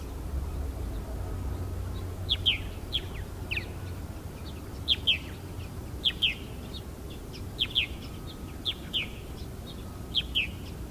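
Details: Purple martins singing over the Fraser river at Iona on Thursday 10 August: soft liquid chirps and short gurgling notes scattered irregularly through the clip, fairly faint against a steady low rumble of wind and distant noise.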